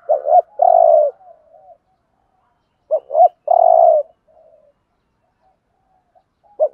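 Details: 'Thúc gù' cooing in the 'Thổ' voice by a spotted dove, played to lure birds for trapping: two phrases of a twin lead-in note and a long low coo, about three seconds apart, with soft trailing murmurs and a final clipped note.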